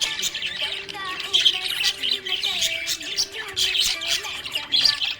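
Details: Happy budgerigar chirping: rapid high twittering chirps and warbles in dense bursts, with steady tonal music or humming underneath throughout.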